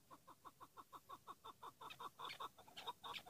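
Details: Chukar partridge of the hıngırmacı type, a decoy bird used for hunting, calling with a quick even series of clucking notes that speed up and grow louder and harsher toward the end.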